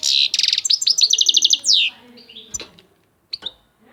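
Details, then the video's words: Goldfinch song opening with loud buzzy rapid notes and a run of tinkling downslurred chirps, then a drawn-out twitter, falling quiet before two brief final notes. "طائر الحسون صوت ولا اروع"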